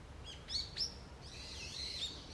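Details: Wild birds in a forest on an early autumn morning: a few quick sharp chirps and short downward-sweeping high whistles, then a thin, wavering high trill in the second half, over a steady low rumble of background noise.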